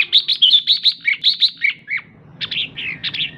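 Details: Female red-whiskered bulbul giving the ché call that excites males: a quick run of about eleven short, bright chirps in two seconds, then a short pause and a further burst of slurred, descending notes.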